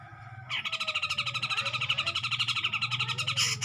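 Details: Grey-cheeked bulbul singing to provoke a rival: a fast, continuous harsh chatter of rapidly pulsed notes lasting about three seconds, over a low hum in the background.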